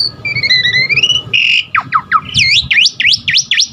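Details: Asian pied starling giving lively, varied song meant to get caged birds singing; a thin rising doubled whistle, a harsh buzz, then a run of swooping V-shaped whistled notes repeated about three per second.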